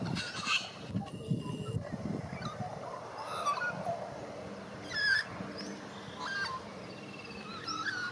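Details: An Australian magpie (white-backed), near Melbourne, warbles in scattered fluty, gurgling notes that rise and fall, over a steady low rumble of wind or background noise; it had just caught a worm.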